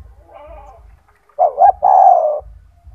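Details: Single cooing phrase from a loud, frequently singing kept spotted dove used to teach other doves: a short two-part note and then a longer, slowly falling, low coo, with faint background hum.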